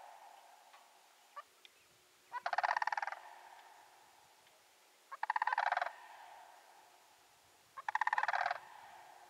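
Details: Roadside sandhill cranes near Canoe Creek, British Columbia, repeating a rapid, throaty rolling rattle three times at intervals of about 2.7 seconds, with a few faint single notes before the first call and constant low background noise.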